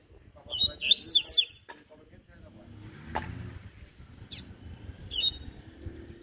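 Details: Morning ziper song of a double-collared seedeater: one quick burst of high, sharply zigzagging notes near the start, followed by faint scattered chips, a click and low background noise.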